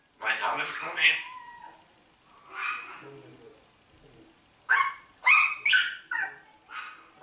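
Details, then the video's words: Talking parrot, said to greet with hello and good morning; a muffled, voice-like babble at first, then a quick series of sharp, bright, squawky syllables near the end. "sprechender Papagei Hallo Guten morgen Deutschland"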